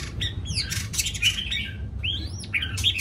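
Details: Energetic morning singing by a white-rumped shama, with fast swooping whistles and sweeping up-and-down phrases packed closely together, broken by a few harsher notes.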